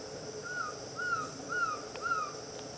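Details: At Itapiranga, a black-throated trogon calls four clear, mellow whistles, each gently falling in pitch, evenly repeated about every half second, with a steady insect buzz and a couple of faint clicks behind.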